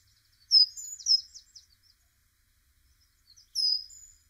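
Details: A great tit calling in spring gives a quick burst of thin, very high, downslurred notes, then a single sharp note after a short pause; otherwise quiet.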